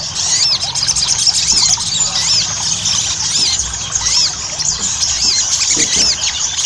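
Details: Ruby-cheeked sunbird lure song meant to get birds singing quickly: steady, dense high-pitched twittering with repeated arched whistle notes that recur every second or so over a constant chatter.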